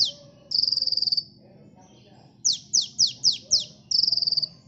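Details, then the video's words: Sunbird, called kolibri, singing energetically for bird luring: two buzzy, rattling trills held on one high pitch, separated by a quiet gap and a burst of five sharp downslurred chips. "Suara burung KOLIBRI gacor ampuh pikat bunyi bahan ombyokan"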